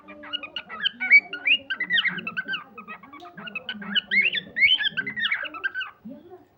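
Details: A cockatiel being tamed chirps in a steady run of bright, warbling whistles and short squawky notes.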